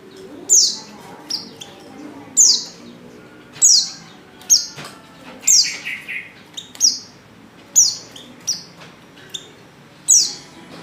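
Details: Female white-eye in heat calling a male: sharp, high, descending chirps repeated irregularly every one to two seconds, with a faint lower warble mid-way.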